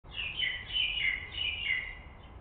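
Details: Common kestrel in a nest box in Israel on 18 May 2021, with chicks hatched late April, giving a thin, high, wavering whine slurring up and down in drawn-out phrases, with a faint low rumble behind.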